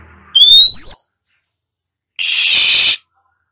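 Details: Caged female Oriental magpie-robin calling to stimulate other birds to sing: one long clear rising whistle, a faint short note, then a rasping hiss lasting almost a second.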